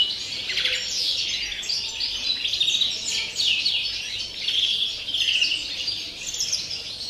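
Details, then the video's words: European greenfinch delivering campero-style song on 30 December: steady high twittering with quick trills and downslurred notes, rising and falling in waves without real pauses. "verderón cante puro campero"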